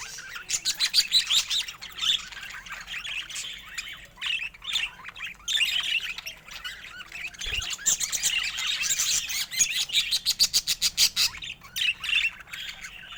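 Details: Budgerigars kept as pets, several chattering at once: a long run of rapid high tweets and warbles, then a quick series of evenly repeated clicking chirps near the end.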